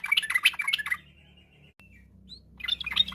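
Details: Afternoon song of a yellow-vented bulbul, used as a lure to stir other birds into song: a quick burst of bubbly, chattering whistled notes, a pause with faint low hum, then the chatter resumes.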